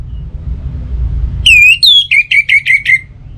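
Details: Lure song of an orange-headed thrush, played mornings and evenings so other birds sing more: a clear drawn-out whistle, a higher slurred note, then a rapid string of about six short whistles, with low rumbling behind.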